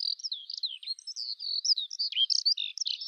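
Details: Eurasian skylark singing a high, continuous warble of quick chirps, trills and short whistled slurs, run together without pause against a silent background.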